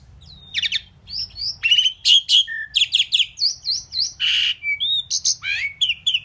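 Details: Indian pied myna known for talking and saying "Mynah": a busy run of mixed sounds, with harsh rasps, short clicks, rising and falling whistles and a buzzy burst, delivered in rapid bursts of about two per second.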